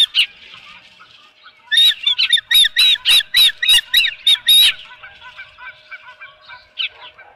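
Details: Osprey calling at its nest as a fish is delivered, morning of 23 April 2018 on a ranch nest camera; a rapid run of high, squealing calls in a burst of about three seconds, then softer scattered notes.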